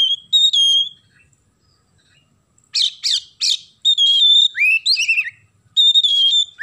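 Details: Oriental magpie-robin in full, loud song mixed with sparrow imitations: sustained clear whistles and bright chirps, a pause, then three sharp chirps and a long run of varied whistled phrases with rising and falling slurs.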